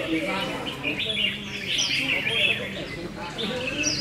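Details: Red-whiskered bulbuls in a singing contest: dense overlapping chatter of bright warbled and chirped phrases from several birds, with higher whistled slurs and a low murmur beneath.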